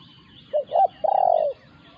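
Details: Spotted dove in a territorial encounter between a caged decoy and a wild resident bird: two short hooting notes, then one long purring coo that wavers slightly and drops at the end. The background is quiet.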